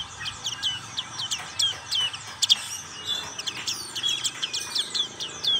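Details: Rapid, high-pitched chattering of a black-capped white-eye in ngriwik style: sharp chirps and quick falling whistles come in clustered bursts, loud and sparkling, over light hiss.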